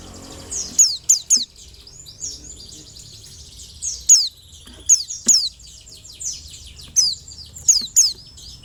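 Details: Scattered, piercing, high chirps from a white-eye. Each note slides steeply downward, some come in quick pairs or triplets, and a faint continuous twitter runs underneath against a quiet background.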